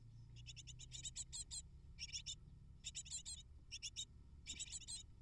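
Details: Eight great tit nestlings begging for prey brought by their parents; runs of rapid, high chirps in bursts with short gaps, over a low background hum.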